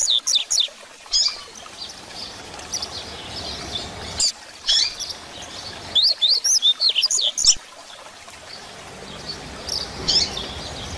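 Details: Rusty-collared seedeater singing in the 'grego' style, a tutor song used to teach young birds, with bursts of high whistled and slurred phrases separated by pauses over a steady hiss.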